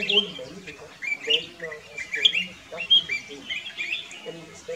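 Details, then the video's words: Singing black-crested bulbul near Kyari Village, Corbett National Park, giving rapid, lively whistled phrases that rise and dip, several per second in short runs, with low human voices murmuring underneath. "Black crested bulbul - Singing"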